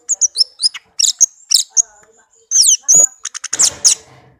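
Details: Orange-headed thrush, a tame pet bird, delivering a dense run of high chirps, downslurred whistles and sharp ticks in quick succession, ending in a harsher rasping burst.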